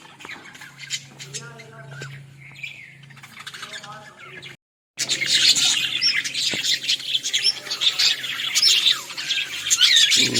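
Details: Australian parrots recorded in a village, dense high chirping and squawking chatter from several birds filling the second half after a brief gap, preceded by quieter low voices and a steady hum.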